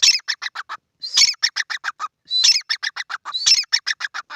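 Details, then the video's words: Grey francolins, a pair, calling in a field. Four rhythmic phrases, each a whistled upslur leading into five or six rapid, raspy, metallic notes. "Teetar Ki Awaaz | Teetar ka Pair | Teetar sound in beautiful field."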